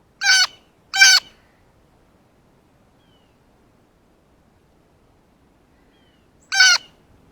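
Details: Blue jay excited by a ripe banana gives two quick harsh, buzzy calls in succession, then silence for several seconds before a third matching rasp.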